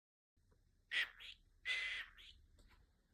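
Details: Pet cockatiel at home giving two loud, harsh screeching calls about half a second apart, each a broad burst with a brief whistled edge, over a faint low background hum.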